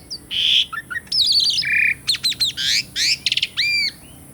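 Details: Asian pied starling song, used to prompt non-singing birds: harsh squawks and rasping buzzes, quick scratchy notes, then a pair of ringing whistles.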